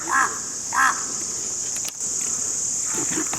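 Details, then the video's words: Crows calling, played to attract crows: two short harsh caws in quick succession, then a steady high hiss of insects or background noise. "Crow Birds (Ravens) Sounds Crowing: To Attract Crows"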